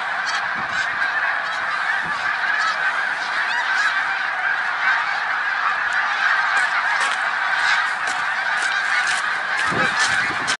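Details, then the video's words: A large flock of snow geese at Middle Creek Wildlife Refuge, Pennsylvania, on 1 March 2021, calling together in a dense, continuous chorus of overlapping nasal honks and yelps with no pauses. "Snow Geese"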